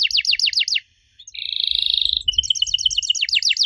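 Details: Canary song used as a lure to make young canaries answer: fast repeated falling chirps, a short pause, then a long buzzy rattle and a run of rising whistled notes, with faint low rumble underneath.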